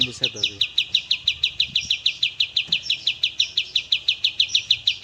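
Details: Master-recording song of an Oriental white-eye for cage-bird training: a clear, steady string of sharp, high chirps, about three per second, with soft low knocks in the background.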